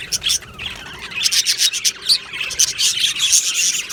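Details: Budgerigars chirping in an aviary colony, 22 June 2025: a quieter opening, then a run of quick, clipped chirps roughly four per second over softer warbling from other birds.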